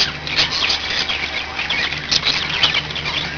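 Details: Several budgies produce a continuous high, buzzy warble with quick chirps scattered throughout, set against a constant low background hum.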